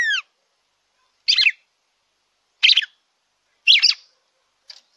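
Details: Song of a red-cowled cardinal, used to stimulate a captive bird, opening with a sliding downward whistle, then three short, rich, buzzy phrases spaced over a second apart, ending in a soft brief note.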